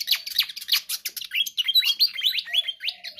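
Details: Lively pied fantail song for luring birds: a quick run of sharp high chirps turning into a series of upslurred squeaky notes, with a faint low whistle near the end.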